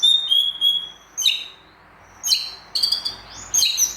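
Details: White-rumped shama singing during a competition simulation: a sustained high clear whistle, then separated bursts of sharp, bright chirps and rapid high notes with short pauses between, against faint background hiss.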